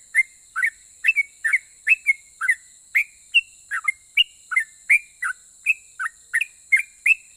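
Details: Yellow-vented bulbul singing in the rapid 'ropel' style that makes other bulbuls reply: a steady run of about twenty short, bright whistled notes, some upslurred, some dropping, with a constant high-pitched hiss behind.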